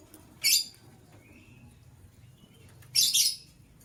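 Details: A white lovebird from a matched couple calls in the morning with two sharp, shrill chirps about two and a half seconds apart, the second longer and rougher, a faint thin tone between them.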